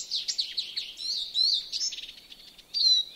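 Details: European greenfinch singing around a yard in Joroinen, Finland, with rapid buzzy twitters and chirps, a fast rattling trill near the middle and a sharp rising note at the end.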